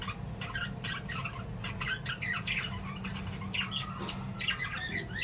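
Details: Lovebirds in an aviary or cage, chirping and playing, give a busy chatter of sharp, squeaky notes, with a low hum underneath.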